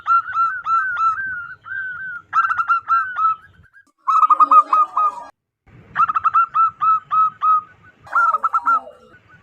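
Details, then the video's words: A local wild zebra dove, suited as a lure for trapping doves, gives loud, bubbling coos: quick runs of short, clipped notes with brief rougher, noisier phrases between them. "PERKUTUT LOKAL ALAM GACOR SUARA BESAR DAN LANTANG"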